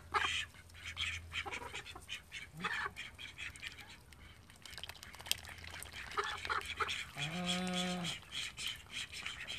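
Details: Call ducks from a household flock of thirteen kept at home: after several seconds of scattered clicks, soft peeps and rustling, one loud nasal quack with layered harmonics rings out for about a second near the end.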